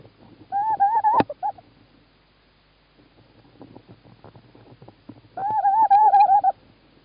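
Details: Tawny owl male in Estonia, 11 March 2017, calling while the female stays in her nest box: two wavering, tremulous hoots about four seconds apart, with a sharp click and scattered faint knocks between them.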